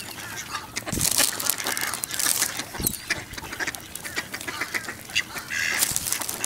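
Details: Ducks crowding for shredded wheat at the Newburgh waterfront, November 23, 2014, 55 F; many birds quack at once in a continuous raucous chorus, with louder bursts near the start and end.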